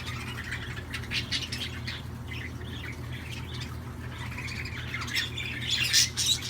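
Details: Budgerigars singing: a busy, continuous warbling chatter of scratchy chirps and squeaky notes, rising to sharper high squeaks near the end, over a steady low hum.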